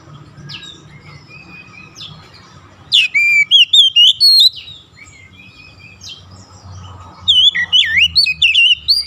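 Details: Oriental magpie-robin lure song meant to set other kacers singing. A steady low hum and faint calls lead into a loud spell of looping whistles. After a hum-filled gap, another lively, twisting whistled phrase follows.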